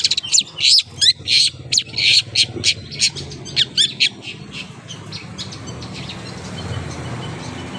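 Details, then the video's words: Long-tailed shrike with tail spread, uttering a burst of loud harsh chirps and buzzy notes over the first four seconds, after which only faint background noise remains. "BURUNG CENDET BUNYI BUKA EKOR"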